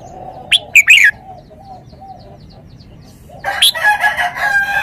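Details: Red-whiskered bulbul giving one quick phrase of three loud, bright whistled notes early on. Later a dense, noisy chorus of overlapping calls, possibly from other birds, swells and continues to the end. A low steady hum runs underneath throughout.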